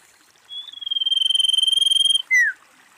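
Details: Female common iora giving its call: a trill that swells in loudness and stays on one pitch for nearly two seconds, then a short downward-sliding whistle. The background is quiet.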